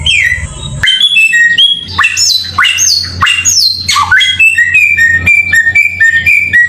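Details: Samyong bird song for masteran training: sharp upslurred whistles and slurred notes, then a steady run of short level chirps, with a constant low hum.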